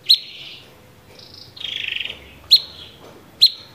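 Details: Cucak cungkok bulbul singing in a 'tembakan' (shot) style: loud, sharp whip-like chirps near three seconds apart, with a smeared whistle, a short high note and a harsh, buzzy rattling phrase between them, over a quiet background.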